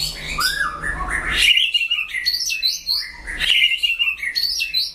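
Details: White-rumped shama in a singing duel, a rich run of clear whistled phrases that rise and fall, with sharp upslurred notes and quick warbled runs filling the whole five seconds, loud and close, with a faint low hum underneath.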